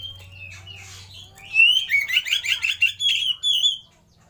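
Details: Oriental magpie-robin (Copsychus saularis) lure and master song meant to prompt other birds to sing: a rich, varied phrase of bright whistles and fast buzzy trills rising and falling over about three seconds, with a low hum underneath.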